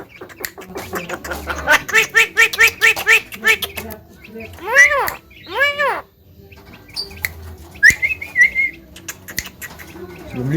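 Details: Pet Javan myna (jalak kebo) kept at home, known for coughing, laughing and calling to girls: a run of quick harmonic pulses like laughter, then two loud arched cries and a rising whistled note, with music behind.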